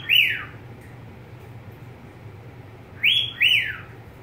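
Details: Pet budgerigar: one falling whistle, a pause of nearly three seconds, then a clear pair of rising-and-falling whistled notes, low hum in the background.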